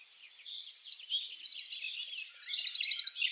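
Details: Mating song of a Eurasian wren (Troglodytes troglodytes) in a wild spring forest: starting after a brief hush, a continuous torrent of high warbled notes with two quick rattling trills, loud and penetrating.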